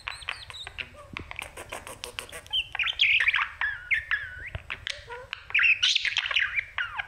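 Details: Caged budgie singing to a mirror, rapid ticking clicks giving way to bright looping whistles and buzzy chatter, over a faint low hum.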